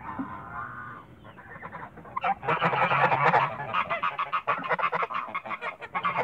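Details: Toulouse geese in a backyard, a flock calling together: after a quiet start, loud harsh honks build into a dense, overlapping chorus of rapid nasal calls, several per second, continuing to the end.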